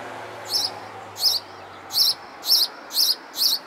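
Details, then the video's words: Sparrow singing: six short, bright, high chirps, each a quick double note, repeated about every half second over a soft background hiss. "Song of sparrow"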